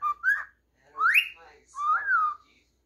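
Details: Cockatiel kept as a singing, talking pet whistles three tonal phrases: a short two-part note, a long steeply rising whistle, then an arched note that climbs and falls away, with brief gaps between.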